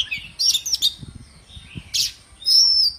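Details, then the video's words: Oriental magpie-robin in the morning, used as a lure to prompt other birds to sing, gives a varied run of bright whistles, quick chirps and a scratchy burst, ending in a clear sliding whistle. "PANCINGAN KACER PAGI HARI AGAR RAJIN BUNYI DAN GACOR"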